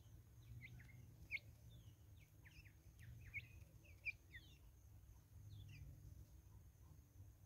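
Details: Natal spurfowl flock in woodland in South Africa producing loose clusters of short, rasping, falling notes with a few louder accented calls, against a quiet low hum.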